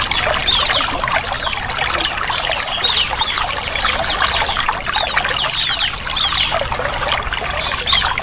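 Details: Bar-winged prinia song used as therapy to get a silent captive bird singing again: high, bright chirping phrases repeated every two seconds over a busy layer of trickling, water-like sound and dense overlapping chips.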